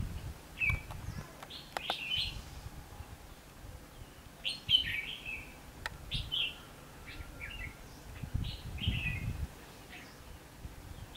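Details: Red-whiskered bulbul used as a decoy bird for trapping, recorded 19 November 2015, giving short bright warbled and whistled phrases at scattered intervals of one to two seconds, over low rumbling background noise with a few sharp clicks.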